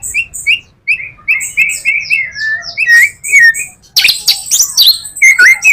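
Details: White-rumped shama in full song used to lure other shamas: spaced clear whistled notes with high ticks, then rolling slurs and a loud burst of harsh, scratchy mimic-like notes.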